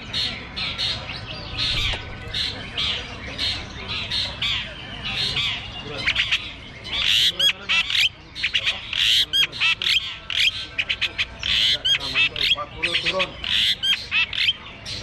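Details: Long-tailed shrikes singing on hanging perches at a bird singing contest: a dense, continuous chorus of harsh squawks, rapid chattering and high chirps, getting louder and choppier in the second half, with voices in the background.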